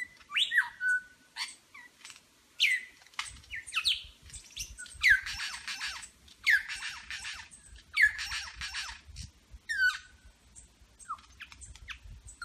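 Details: Superb lyrebird in Berowra Valley National Park performing a medley that imitates eastern whipbird, red wattlebird, rainbow lorikeet, grey butcherbird and pied currawong. Rapid, varied bursts of upslurred whistles and harsh chattering come in quick succession, with a low rumble beneath.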